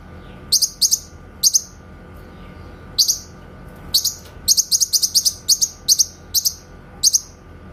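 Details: Master song of a grey-cheeked bulbul (cucak kinoy) for tutoring white-rumped shamas: crisp, very high sharp notes, a brief pause after the opening bursts, then a fast run of rapid chirps in clusters, over faint hum.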